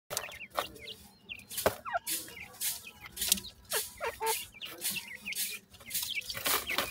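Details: Dakhni grey francolin female with five chicks at feeding time; thin high chick peeps and short upward chirps pour out almost continuously, broken by sharp clicks and knocking noises.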